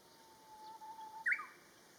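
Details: Japanese bush warbler singing: a long, steady low whistle held for about a second, then a sudden loud, higher, quick flourish of notes, heard in quiet surroundings.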